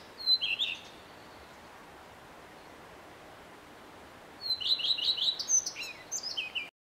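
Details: Male common redstart singing, said to sing from early morning till evening. Two short phrases about four seconds apart, each a high whistled opening followed by a quick, slightly descending run of bright twittering notes, over a quiet, steady background hiss.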